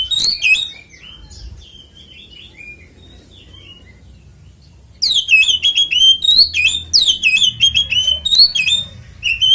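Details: Fighting song of an Oriental magpie-robin, used to make rival magpie-robins sing: a brief opening burst, several seconds of soft scattered notes, then a long dense run of piercing downslurred whistles and chirps.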